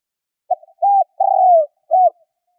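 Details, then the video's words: A decoy Spotted Dove calls to draw others: a low, mellow coo phrase of a short note, a hooted coo, a long drawn-out purring coo, then a final coo, with nothing else heard. "Tiếng cu gáy mồi gáy gọi hay kích bổi nhanh nổi hiệu quả"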